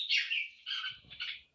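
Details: Red-whiskered bulbul kept in a cage, singing poi-sian (โป้ยเซียน) style: a loud bright chirp followed by softer bubbly warbled notes fading out, faint low background noise.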